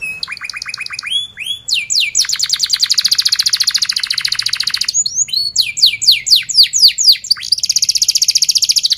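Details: Canary singing to prompt young or silent canaries to start: high whistled notes, then long rapid rolling trills and runs of sweeping chirps, very high and continuous throughout.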